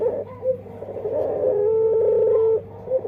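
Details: Dove with an unusual, distinctive song: a brief coo, then a long, steady, flat hoot held for about a second before breaking off, with a faint hum underneath.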